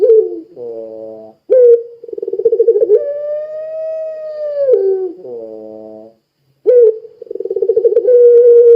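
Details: Puter pelung dove, a lure bird for prompting other doves, sings a pulsed rolling lead-in that rises into a long arched, held coo, followed by short grumbling notes, a pause and another rolling phrase.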